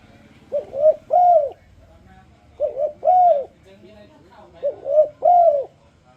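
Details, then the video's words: Lure song of a spotted dove, used to get other doves singing too: three mellow cooing phrases, a short stuttered double note then a drawn-out rounded coo, spaced roughly two seconds apart over faint background murmur. "A turledove makes a beautiful sound."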